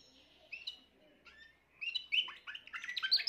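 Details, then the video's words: Young Timbrado canary hatched this year, recorded 14 June 2023, singing short bursts of bright chirps and trills that rise in density toward the end, with quieter gaps between phrases. "chant timbrado jeune de cette année"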